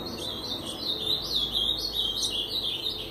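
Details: Brown-plumaged Ultramarine grosbeak in a cage, mating with a female: a continuous, high, sweet warbling of slurred notes that rise and dip in quick succession for the full three seconds, with a faint background hum.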